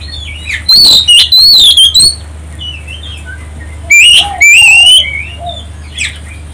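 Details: Oriental magpie-robin lure song meant to make other birds respond and sing: bursts of loud, sharp whistled phrases in two groups with a quiet gap between, and faint twittering of other birds behind.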